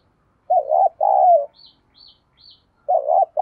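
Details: Spotted dove decoy call for luring: a low two-part coo, three faint high thin chirps from another small bird, then the coo begins again.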